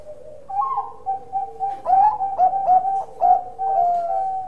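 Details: Bangkok-type zebra dove, said to have a big voice, cooing steadily: soft low notes open, then a run of short clipped coos and longer mellow notes, ending on a sustained coo.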